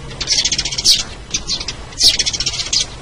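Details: Sparrow lure call, made of quick harsh chirps packed into short stuttering runs, with louder sharp notes breaking through roughly every second.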